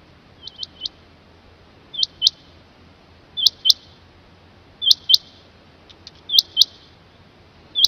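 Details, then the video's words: Rain quail giving sharp, high, metallic notes in pairs or threes, repeated about every one and a half seconds over a quiet background. "เสียงนกคุ้มอกดำหรือนกคุ่มอกดำ Rain Quail"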